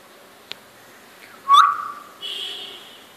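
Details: A talking pet common hill myna, a male about three and a half years old, in Chittagong, Bangladesh, in August 2014, gives a short rising whistled note, then a steady, bright, nasal tone like a word held in a human voice.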